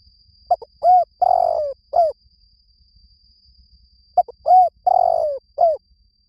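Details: Decoy cooing of a spotted dove for drawing in wild birds. Two matching phrases about four seconds apart: a clipped opening note, an arched coo, a long sliding coo, then a brief closing coo. A faint steady high tone runs throughout.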